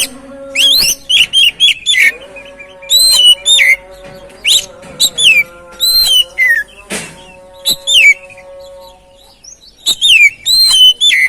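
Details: Oriental magpie-robin lure song aimed at getting a silent, stressed bird to sing: sweet whistles sliding downward, interspersed with quick chirps in irregular bursts, over a constant faint humming tone.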